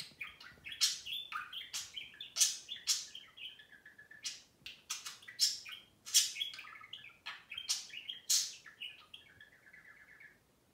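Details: Two pet budgerigars having fun lecturing one another indoors: rapid warbled chirps and squawky notes, louder bursts in the middle, ending in a short buzzy trill.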